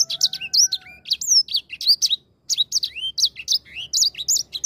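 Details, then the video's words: Grey singing finch singing persistently: rapid high twittering of sharp chips mixed with sweeping whistled notes rising and falling, delivered in dense bursts with a brief pause midway; a faint steady low tone early on. "EDEL SANGER GACOR"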